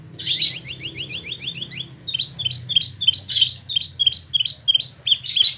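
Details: Caged spot-throated babbler in Bandung, West Java, about a year in care and freshly moulted, delivering a fast harsh stuttering series, then bright whistled notes repeated roughly twice per second, low background hum.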